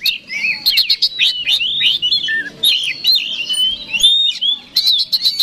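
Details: Oriental magpie-robin singing to challenge a rival: a loud stream of sliding whistles, down-slurred notes and sharp ticking chips, nearly unbroken over several seconds.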